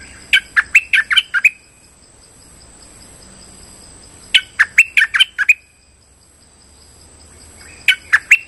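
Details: [1, 'likely', 'lure call', 'Streak-eared bulbul lure call used for trapping: three bursts of six or seven quick, harsh chirping notes, spaced a few seconds apart, over a faint steady high-pitched electronic tone.']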